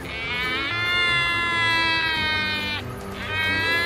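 An albatross gives a long, nasal, bleat-like cry, held steady for nearly three seconds, then breaks off and starts again.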